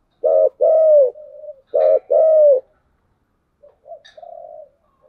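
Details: Spotted dove with a giọng đồng song: two loud pairs of coos, a short coo followed by a longer falling one, each trailing into a soft hum, then a quieter murmured phrase.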